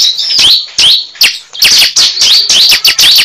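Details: Lure recording of a cible (prinia): rapid, loud, high-pitched downslurred chirps, roughly two or three per second, harsh and scratchy in tone.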